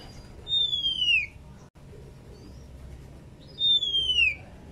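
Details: Two long, clear whistles, each sliding down in pitch and spaced about three seconds apart, from a female Oriental magpie-robin in breeding condition calling her companion; quiet pause between, with steady low background noise.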